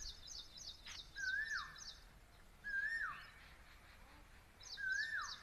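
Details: Asian koel calling near a house under construction on a still, windless afternoon, with many other birds said to live around it. Three clear whistled notes rise and then fall, about two seconds apart. A faint, higher, rapid chirping repeats steadily behind them.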